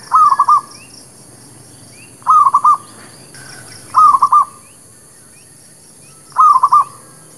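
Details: Local village zebra dove giving a lure song used for trapping and for new birds: short bursts of three to four quick, soft, rolling coos, repeated four times roughly every two seconds over a quiet background.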